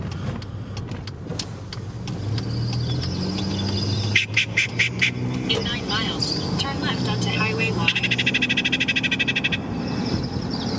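A Yellow-breasted Chat gives a mix of high whistles, clucks and a fast rattling chatter, played back inside a car over engine rumble and voices.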